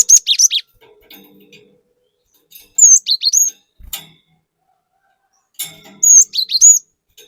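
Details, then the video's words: Gelatik batu, the cinereous tit, singing energetic 'gacor nembak' variations as a lure for other birds: three bursts of piercing whistled and buzzy notes, each about three seconds apart, with soft background chatter. "Pancingan Burung Glatik Batu Gacor Fariasi Glatik Bahan Auto Emosi || Glatik Batu Gacor Nembak"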